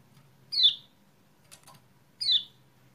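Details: Lemon-bellied white-eye lure sound for birds reluctant to sing, 28/11/20: two high, quick descending chirps about one and a half seconds apart, with a faint click between them against a soft background hum.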